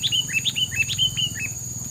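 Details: Filler song from a bird: a fast series of short whistled chirps, each dropping and levelling in pitch, repeated about eight times, with a constant high whine and low background hum.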